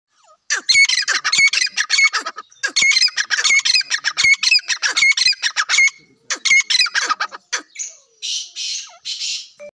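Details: Black francolin calling: loud, harsh, grating notes delivered in rapid bursts, phrases repeating about once a second with brief gaps, closing with hissier rasping notes.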